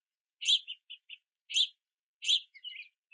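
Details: Young house finches waiting at a backyard feeder in rain, begging parents to feed them; three loud, high chirps about a second apart, each followed by softer short twittering notes.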